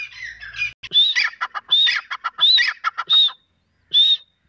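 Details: Female grey francolin, known locally as teetar, giving loud, harsh, rapidly repeated calls. Scratchy bursts mix with shrill, whistled notes, several per second, then a short pause before one final ringing note.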